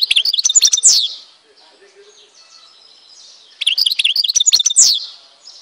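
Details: European goldfinch from Tizi Ouzou, Algeria, singing two short bursts of sharp, high, jingling notes ending in a downward slur, with faint chirps in the pause.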